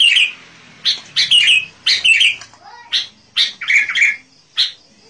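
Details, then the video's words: Lively sooty-headed bulbul song meant to attract wild birds: bright chirping bursts repeated in a quick, uneven rhythm, some slurred and fluty, with one soft rising whistle. "SUARA burunh KUTILANG GACOR. cocok buat pikat kutilang liar"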